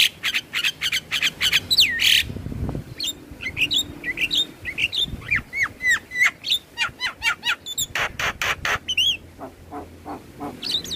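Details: Black-winged starling song played as daily morning and evening therapy to make stressed, quiet caged starlings sing: sharp varied whistles, rapid chirps and upswept notes in dense repeated phrases, with faint low background noise.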